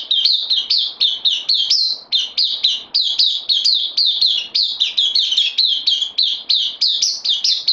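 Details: New bulbul kept on loan, 12 September 2020, delivers a long unbroken stream of quick, sharp, down-slurred chirps at a brisk pace, high and bright, in a quiet setting.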